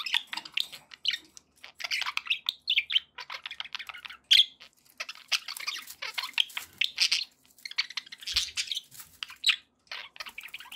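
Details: Budgies chirping cheerfully in a long, rapid stream of buzzy warbles and clicks, with short silent breaks and one sharp click around four seconds.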